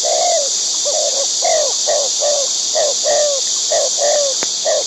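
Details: White-breasted waterhen in the wild while feeding its young: a quick run of short, slightly falling nasal notes, roughly two per second, against a constant shrill insect chorus.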